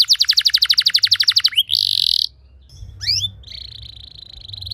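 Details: Training song of a canary for other canaries to copy: a quick pulsing trill, a harsh buzzy burst, a pair of sharp upward sweeps, then a steady high trill to the end.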